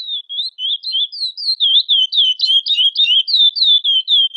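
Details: Chestnut-bellied seed finch female calling to solicit mating, giving rapid repeated high chirps with wavering up-and-down slurs, roughly three to four per second, on a quiet background.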